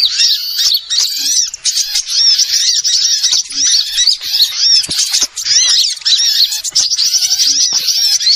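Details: Bird-catching lure of small birds: thick, shrill chorus of rapid chips, trills and twittering notes crowding over one another throughout, scarcely any pause.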